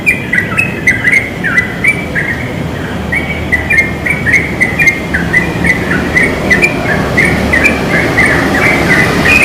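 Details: Wild yellow-vented bulbul singing eagerly from a pine: fast, choppy series of liquid chirps stepping up and down, repeated over and over, with a low traffic-like hum and faint insect clicks.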